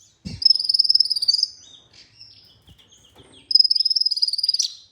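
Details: Olive-backed sunbird used as a masteran recording in Indonesia: two long, rapid, high trills of evenly spaced notes, each lasting over a second, with quiet chips and a thump between them.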